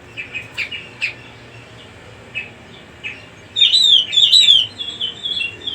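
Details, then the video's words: Cucak rumbai singing, meant to draw in young birds: soft spaced chirps, then a loud rapid burst of high warbled whistles in the final two seconds. "suara kicau burung cucak rumbai cocok untuk pancingan burung bahan /bakalan"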